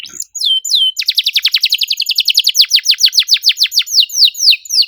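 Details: Caged canary singing: a few descending whistled notes, then a fast run of sharp downward-sweeping chips repeated about four per second, loud and clean against a quiet indoor background.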